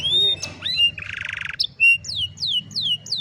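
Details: Afternoon song of an old canary: a high whistle, a dense buzzy rattle lasting about half a second, then clear downward-sweeping whistled notes repeated several times, over a soft low hum.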